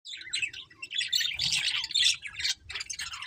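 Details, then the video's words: Budgerigars chirping: a dense, continuous chatter of rapid high warbles and squeaky notes, several birds overlapping with little pause, with a faint low hum underneath. "Beautiful Budgies Chirping Sounds"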